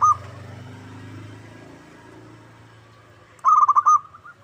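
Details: Local zebra dove lure call intended to prompt an answering bird: a short clipped note, a long quiet stretch with low hum, then a loud ringing phrase of rapid cooing notes.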